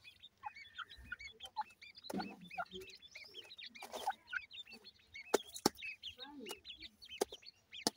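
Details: Grey francolin chicks being fed, chirping continuously with many tiny hooked, high-pitched peeps. Two louder scratchy bursts and several sharp ticking clicks are mixed in.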